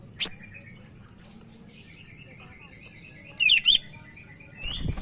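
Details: Singing Sumatran leafbird from Medan, recorded to train other leafbirds: a sharp high click, a long quiet stretch with faint notes, then a brief rapid warbled phrase, and a rising noise at the close.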